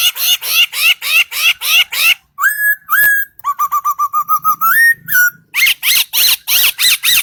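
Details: A singing bird: a varied song of repeated harsh chips, level whistled notes, a fast stuttering series and rising whistles, then more loud chips.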